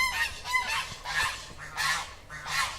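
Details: Domestic geese, kept in a yard alongside chickens and dogs, honk in a loud, harsh series of about five nasal blasts, roughly two per second, with a person's voice faintly beneath.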